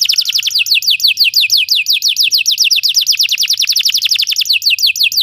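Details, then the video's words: Belgian canary singing a rapid chain of sharp downward-slurred notes, steady in pitch and pace, several per second. "Belgian canary singing makes your canary sing"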